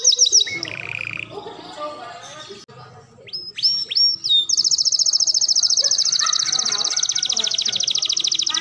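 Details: Canary song used as a tutor recording for training other canaries: mixed whistles and chirps that settle into a long, fast, even high trill, over faint low background noise.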